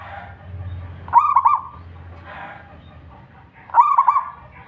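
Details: Local Indonesian zebra dove in full song: two melodious cooing phrases, each a quick stuttering run of rolling notes around one pitch with a brighter overtone, separated by about two and a half seconds, with faint background rustle.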